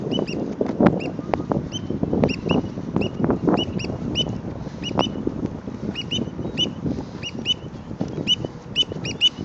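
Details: Black oystercatchers scolding an observer at Heron's Head Park, San Francisco: sharp, high, piping notes repeated steadily in quick pairs and singles throughout, over constant low rumbling wind or traffic noise.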